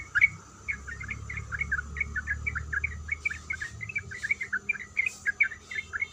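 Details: Breeding female yellow-vented bulbul calling for a male: a steady string of small, sharp chirping notes, somewhat quieter, over a low rumbling background.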